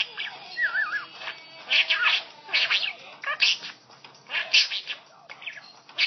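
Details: Caged pet budgie singing along to Hindi film music from a phone: wavering whistles and rapid scratchy chirps in quick bursts, blended with the faint tune of the song.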